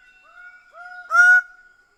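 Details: Greater bird-of-paradise giving a single loud, nasal honk, preceded by softer, lower tones and a steady ringing note.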